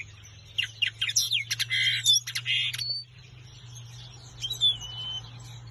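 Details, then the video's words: Common linnet singing, a quick, varied twittering burst of chirps and trills for about two seconds, then a few thin whistles, over a steady low hum. "Linnet singing"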